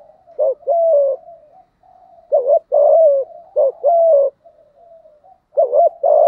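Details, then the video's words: Spotted dove in thổ voice, cooing to lure a rival male: repeated low phrases of a quick bent note and a sustained falling coo, with quieter murmurs between the bouts. "Tiếng cu gáy giọng thổ thúc gù kích bổi hiệu quả"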